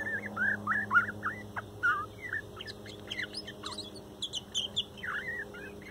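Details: Morning song of a young male bird from a 2019 nesting, sung sweetly and softly: a run of warbled, looping notes, then quick high twitters and clicks, returning to looping warbles near the end.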